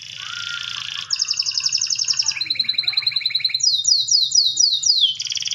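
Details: Atlantic canary giving a long rolling song: rapid trilled tours switching pitch every second or so, buzzy rolls, then a run of fast descending whistled sweeps, with a faint low pulsing hum beneath.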